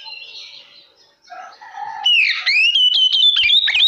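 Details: Oriental magpie-robin song used as a lure to provoke other magpie-robins: soft varied whistles first, then loud rich whistled phrases with sweeping slurs and quick sharp notes from two seconds on.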